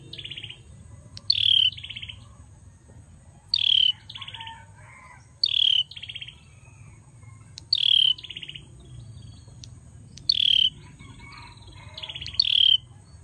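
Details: Bar-winged prinia, a male, repeats brief high buzzy phrases, each a sharp downslurred note followed by a rapid trill, roughly every two seconds over a steady low background rumble.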